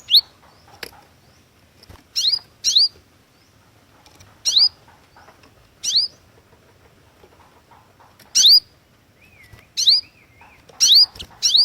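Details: Singing Cinereous tit (glatik watu) for luring: crisp, high, swooping paired notes repeated at irregular intervals, with a brief wavering warble near the end and scattered soft clicks.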